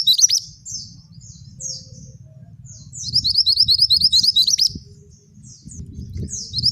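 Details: Vocal male scarlet minivet, singing in the rolling and shooting manner. Buzzy downslurred notes come first, then a quick burst of sharp upswept whistles mid-clip, then more buzzy slurs. A low rumble runs throughout.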